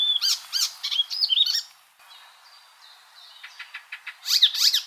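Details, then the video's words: Icterine warbler delivering quick chattering notes and whistled slurs, a pause with faint thin whistles, then a soft ticking series building into a loud harsh, scratchy burst. "MASTERAN burung icterine warbler"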